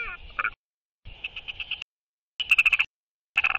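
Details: Royal albatross courtship display between a pair: short bursts of rapid clattering, rattling pulses in groups of several, separated by silent gaps.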